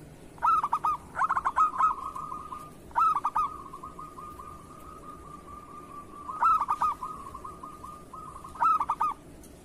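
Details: Local zebra dove cooing to encourage other doves to sing: clusters of quick, stuttering coo notes recur every few seconds, joined by a continuous even trill at one pitch in a quiet setting.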